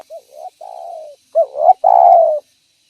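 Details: Energetic spotted dove calling as a lure for other doves: a soft rising coo and a flat longer coo, then a stuttered rising note and a strong, sustained coo that falls away slightly.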